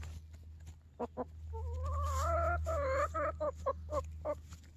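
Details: Backyard chickens, mostly content, scratching in hay on a cloudy morning; a drawn-out, wavering nasal call runs into a string of short, sharp clucks roughly every quarter second, over a steady low hum.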